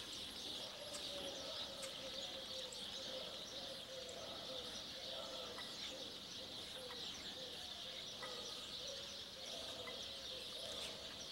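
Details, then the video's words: Spotless starling (Sturnus unicolor) singing at dusk from a television antenna: a rambling mix of low warbles, clicks and brief whistled notes over a steady high-pitched hiss of background chatter. "Estornino negro (Sturnus unicolor) cantando"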